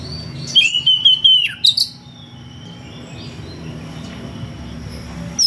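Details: Oriental magpie-robin (kacer) in ngeplong style calling a rival: a brief run of bright whistled notes and a falling slur, followed by a few seconds of quiet hum.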